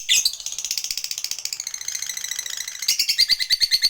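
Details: Lovebird chatter used as a lure to make a fighter lovebird respond with long trilling: a fast, dense run of buzzy high chirps about three per second, rough and continuous, ending in clearer repeated notes.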